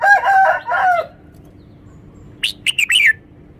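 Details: Red-whiskered bulbul answering a rooster's crow with a crisp phrase of four quick whistles, the last one rolling and falling, in clear emphasized song.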